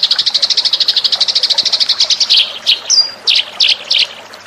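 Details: Eurasian tree sparrow lure call: a rapid chirping chatter that slows into a few separate, louder chirps, with one thin whistled note in between.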